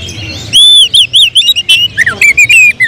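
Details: Caged oriental magpie-robin with contest prospects, singing in tembakan style: a long clear high whistle followed by quick repeated looping, bouncing whistled notes and a few dropping slurs, loud and close.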